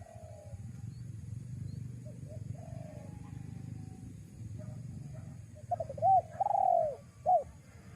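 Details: Spotted dove used as a lure for wild doves. Mostly quiet low rumble with faint soft coos, then near the end one clear phrase of quick notes, a long falling coo and a short hooked note.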